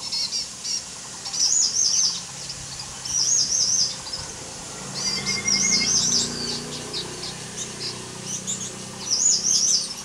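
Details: Green shrike-babbler recorded on 16 July 2015 at Touchongxi, Yangmei: high, fast warbled phrases repeated every two to three seconds, with a softer lower whistle heard partway through.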